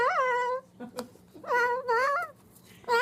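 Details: Pet Moluccan cockatoo indoors uttering talking-bird phrases: strong harmonic vocal bursts, some held and wavering, others rising and falling, in three separate runs with short pauses between them.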